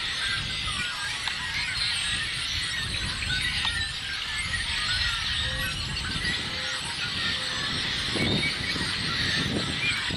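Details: A dense chorus of yellow-headed blackbirds on 19 April 2016: harsh, buzzy, scratchy calls overlapping continuously, with a low rumble of wind or background noise underneath.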